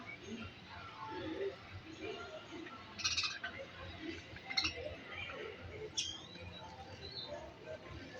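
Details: Budgerigars (Melopsittacus undulatus) chatter with soft warbles, clicks and sharp chirps, and a few louder notes stand out.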